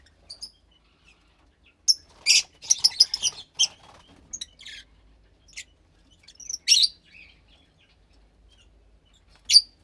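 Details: Fischer's lovebird chick roughly 15 days old in captivity, calling with sparse sharp high squeaks and one brief run of rapid raspy chirps, quiet between notes.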